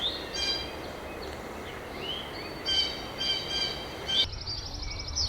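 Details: Blue Jays on a sunny, warm spring woodland hike in southwestern Ontario, Canada give harsh, ringing alarm calls in short repeated bursts, raised at a hawk, over steady woodland background noise.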